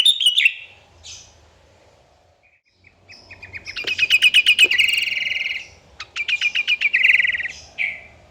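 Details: Sooty-headed bulbul in full 'gacor' song, used to provoke rival birds into singing: a sharp opening note, then a long pause, then fast buzzy rattling trills with repeated pulses, broken by a short gap and ending in a falling whistle.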